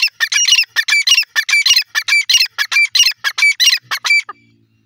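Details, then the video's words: Female grey francolin (teetar) calling: a loud, rapid run of harsh, scratchy notes repeated about every half second for four seconds, then breaking off into quiet. "teetar voic 🌹 gray francolin sound 🌲 female teetar awaz"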